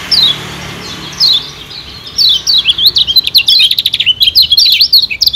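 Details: Kecial kuning, a Lombok white-eye, singing in a lure recording meant to stimulate wild birds. Isolated thin descending notes come first, then a quick run of jumbled high twitters and short rattling trills.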